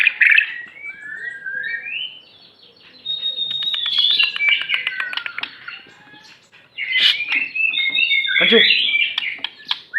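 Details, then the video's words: Aceh white-rumped shama with a varied song: slurred whistles, then a long series of rapid ticking notes, then loud rich warbled phrases, over faint background noise. "murai batu aceh,isian mewah gaya mantap"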